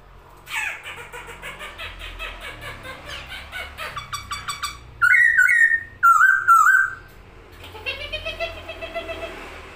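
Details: Masked laughingthrush spreading its wings as it sings, a series of rhythmic chattering notes followed by two loud wavering whistled phrases and a soft rising note.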